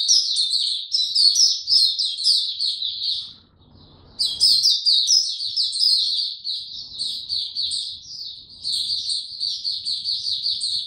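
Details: Caged white-eye given no health supplements, recorded 29 April 2022, pours out a high, rapid twittering song of chirpy notes, with a brief pause near the middle and faint low background rumble.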